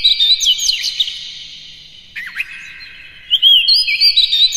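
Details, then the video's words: Oriental magpie-robin singing in the morning to prompt captive birds: high sweet whistles and quick slurs, a brief low dip, then another rapid run of rising whistled notes. "suara PAGI!! KACER Gacor Master PANCINGAN Buka Ekor KONSLET"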